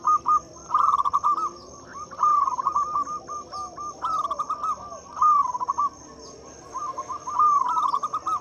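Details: Zebra Dove of local type singing loudly, meant to lure quiet doves into song: repeated rolling phrases of short staccato coos, several overlapping bursts across the clip, steady high whine in the background.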